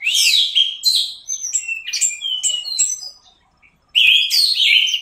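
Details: Teler-style song of an Orange-headed thrush for masteran training: rapid sweeping whistles and chattering notes, a sudden near-silent pause, then a strong, bright burst of whistled phrases.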